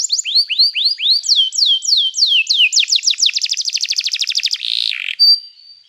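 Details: Singing canary for training: slow, regular, drooping whistled notes repeated about four per second, then higher sweeps, then a fast buzzing trill, ending in a harsh burst and a thin sustained whistle.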